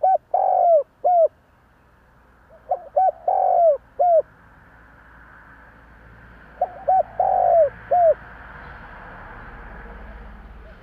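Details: Spotted dove cooing as a lure to make other doves coo back. Mellow, low hollow coos fall in short phrased groups of three or four notes, with the last note drawn out and sliding downward. A pause of several seconds separates phrases, and faint background hiss rises toward the end.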